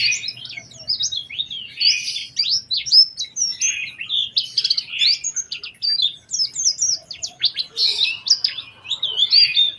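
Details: Oriental white-eye lure song meant to prompt other white-eyes to sing, a varied high song of rapid twittering, sliding whistled notes in a continuous dense stream with few pauses.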